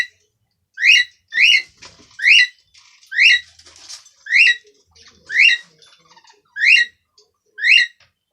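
A cockatiel gives loud, rising, whistled calls, repeated roughly once a second.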